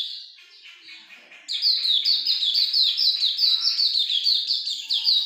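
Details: Continuous ngalas longgun song of a Hume's white-eye. Soft, quieter twitters open the passage, then a sudden loud burst of bright, high chirps follows, tumbling at roughly two or three notes per second in an unbroken, slightly irregular run.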